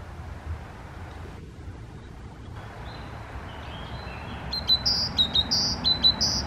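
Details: Great tit singing on 3 May 2022, a bright, ringing two-note phrase, high then lower, repeated quickly over the last two seconds, with steady background hiss and faint earlier whistles.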